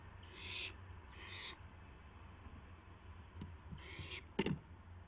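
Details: Barn owl owlet testing its wings, recorded just after midnight on April 12, 2016: three harsh, hissing screech bursts, each about half a second, with a short gap, then soft thumps and a sharp knock near the end.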